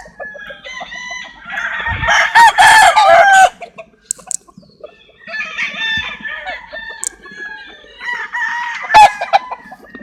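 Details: Several roosters crowing in turn, three long harmonic crows spaced a few seconds apart, with clucking chickens and short sharp calls between them.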